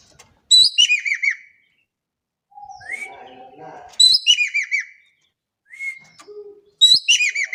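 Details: The Indonesian Javan kingfisher calls repeatedly in a lure recording, about once every three seconds. Each burst is a shrill upswept note and a run of rapid, downward-arching chattering notes. Softer whistles and murmuring fill the gaps between calls.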